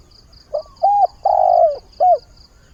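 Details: Spotted dove kept as a lure bird, calling for a mate as the day begins: mellow low coos in a set pattern, a quick note, a flat hoot, a long sagging croon and a final brief coo, faint steady high pulses throughout.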